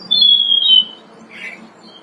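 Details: Robin singing loudly from branches in early spring, in March: one bright whistled note held and gliding gently downward for under a second, then a short softer burred phrase, with a low steady hum behind.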